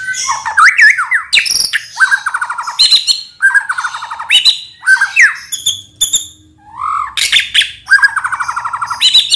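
A White-rumped shama sings loud, varied phrases: rich fluting whistles, sharp upslurs and quick chattering trills, each burst under a second with brief pauses between.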